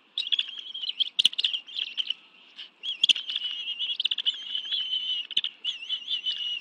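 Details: Bald eagles at their nest in the National Arboretum, Washington, D.C., on 11 June 2017 at 2:23 PM, both adults bringing fish for a family meal with two young. High, thin chirping chatter runs almost continuously in quick bursts.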